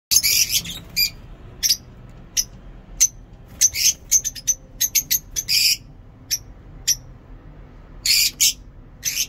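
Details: Lovebirds in a home aviary give shrill, harsh squawks and chirps in short irregular bursts, some in quick runs of two or three, with a faint low hum beneath.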